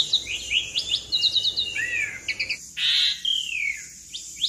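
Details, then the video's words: Asian pied starling in long rolling song for prompting other birds: quick slurred notes and trills, a rising-falling whistle, a buzzy burst, then a long descending whistled slur, over faint steady hiss. "Jalak Suren gacor Ngeroll Panjang Pancingan Dan Masteran Jalak Suren Bikin Cepat Bunyi"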